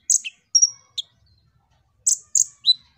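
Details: Kolibri ninja sunbird in lively song, played to draw other birds into singing: a few very high, sharp chirps and one thin drawn-out whistle, separated by a silent pause.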